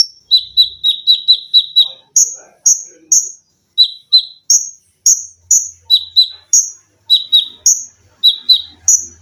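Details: Caged olive-backed sunbird used as a song tutor, delivering close-packed 'tembakan' with shrill 'lengkingan': a quick run of about eight piercing downslurred chips, then spaced very high whistles alternating with lower paired chips.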